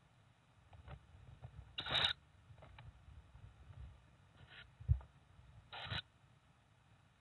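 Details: A quiet room-like hush broken by brief scraping, rustling and clicking bursts, with no animal voice.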